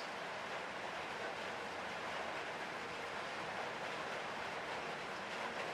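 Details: Dense, steady broadband hiss like wind or distant traffic.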